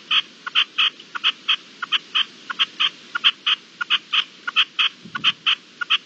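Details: Hail hisses steadily as a partridge repeats short, rasping chuck notes in a fast, fairly regular series, about three per second, through six seconds of the storm.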